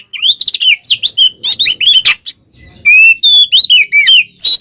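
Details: Kacer (Oriental magpie-robin) fighting song for provoking rivals: fast looping whistled phrases and harsh notes, a short quiet gap, then long clear rising and falling whistles.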